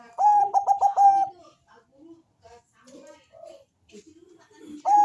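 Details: Bangkok zebra dove giving its thick, bass-like song used to make other doves call: a rapid series of pulsed coos, followed by faint chatter and soft sounds, then the cooing run starting again.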